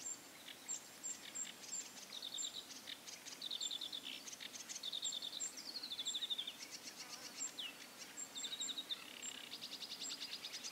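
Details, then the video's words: Bearded tit fledglings from 2017 calling: a busy run of short, pinging notes and brief descending whistles, with rapid high ticking repeated through the clip and soft buzzy bursts midway. "Bearded Tit Fledglings of 2017"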